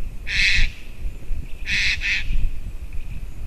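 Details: White-tailed eagle recorded 9 October 2019 at 07:55 gives three harsh, hoarse yelps: one, then a close pair about a second later, over low wind rumble.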